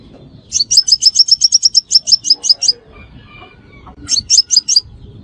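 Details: A sunbird lure call: a fast, steady string of about fifteen bright, sharp chirps, then a pause and a shorter burst of four, with soft low noise beneath.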